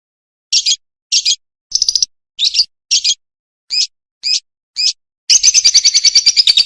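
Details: Lovebird song used as a training recording for young untrained lovebirds: eight short, separate high chirps about every half second, then a fast buzzy rattling trill. No background noise.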